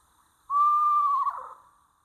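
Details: Eastern Screech-Owl giving its typical whinny or trill call, a North Carolina owl species: a clear, steady whistled note held for about three-quarters of a second, then breaking into a wavering, falling trill that fades out.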